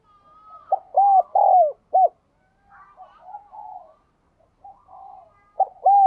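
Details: Spotted dove cooing, played to prompt a captive decoy dove to coo: grouped mellow hooting notes, short arched coos leading into a longer drawn-out one, with a fainter cooing dove answering between phrases.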